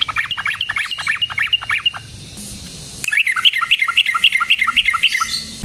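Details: Yellow-vented bulbul delivering a lively rolling 'ropel' song meant to lure and provoke other bulbuls for trapping: a run of quick bubbly chirps, a short pause, then a second longer string of rapid, evenly repeated notes.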